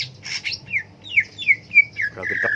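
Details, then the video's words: Cucak ijo leafbird: harsh noisy notes, then four loud down-slurred whistles about a third of a second apart, ending in a rasping buzz. "Burung cak ijo"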